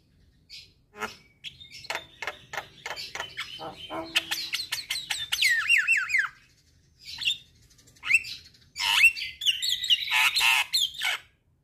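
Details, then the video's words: Javan myna singing, offered as morning and evening therapy for a stressed bird, starting with sparse clicks, then a rattling series of sharp notes with falling whistles, ending in loud harsh squawky bursts. "Terapi Burung Jalak Stres Macet Bunyi"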